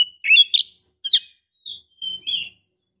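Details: Female Oriental magpie-robin in breeding condition calls to a male with two loud scratchy whistled phrases, followed by softer, thin, level whistles.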